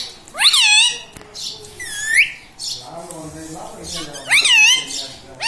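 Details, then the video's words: Pet parrot kept indoors, said to talk and repeat radhe radhe and mummy; a few bright arching harmonic calls and a rising whistle, with softer murmuring voice-like sounds in between. "Mithu bolo radhe radhe || bolta parrot"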